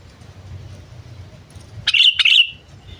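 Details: Sooty-headed bulbul kept as a lure bird, giving its calling notes. Two quick, harsh, high chirps close together break a quiet background with a distant low hum of traffic.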